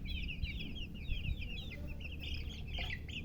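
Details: A dense flurry of high, piping cheeps from just-hatched chicken chicks, several calling at once in fast slurred notes, set against a strong low-pitched hum.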